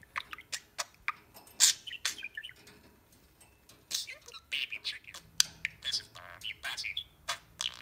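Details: Pet budgie meeting another budgie for the first time, chattering in scattered clicks and high chirps with softer mumbled warbles, quieter stretches between bursts, indoors.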